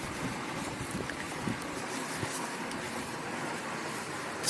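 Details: Steady traffic hum from passing vehicles fills the air, with no animal voices.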